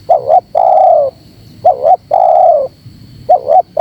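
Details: Spotted dove coos meant to rile up wild doves: a rhythmic cycle of a brief double note and a longer gently falling coo, repeated three times, over a soft steady whine.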